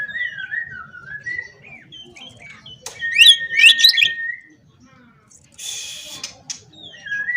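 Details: Oriental magpie-robin in full song, calling opponents: wavering whistled phrases, then a loud burst of sharp, fast rising chirps over a held whistle, a brief rushing noise, and more whistled notes.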